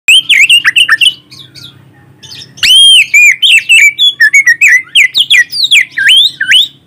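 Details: Caged white-rumped shama song, recorded on a phone and used as a lure to stir other shamas to sing. Loud, varied whistled notes sweep up and down in rapid bursts, with a short pause before a ringing upslurred phrase.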